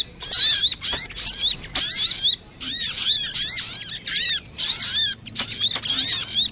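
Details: Sogok ontong (crimson sunbird) lure sound for making birds sing: short, loud clusters of sharp, down-slurred chirps, each lasting about half a second and repeated with brief silences between.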